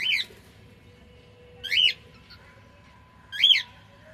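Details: Cockatiel singing: three loud, clear chirps, each a quick rising-then-falling note, arriving about every one and a half seconds against faint background hum.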